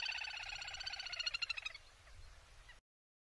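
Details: A little grebe in Córdoba gives its high, whinnying trill: rapid pulses that quicken and drift slightly lower for nearly two seconds, then fade into faint background hiss.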